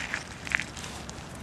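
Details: Snow bunting at Salthouse, Norfolk, on 13 February 2010, giving a few short, clear, mid-pitched call notes: two quick notes, then a tight cluster half a second later, over steady crunching and rustling noise.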